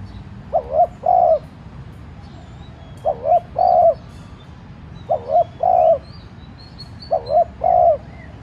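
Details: Decoy spotted dove cooing lightly in the 'thúc' manner to entice wild doves to answer. Four steady phrases roughly every two seconds, two brief hooked notes then a sustained coo, faint high chirps of other birds in the background.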